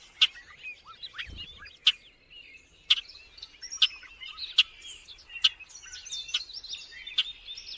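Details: Bobolink song, a bubbling, gurgling run of twanging, metallic notes sliding up and down, punctuated by loud sharp clicks about once a second.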